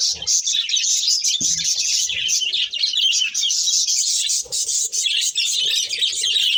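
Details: Breeding pair of budgerigars keeping up a steady, high-pitched chatter of rapid squeaky chirps and warbling notes, nearly unbroken, with occasional soft low thumps beneath.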